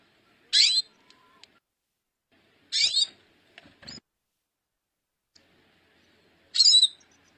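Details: Female hooded siskin calling: three short, sharp, buzzy high notes spaced about three seconds apart, with faint clicks and a soft thump between them in an otherwise quiet setting.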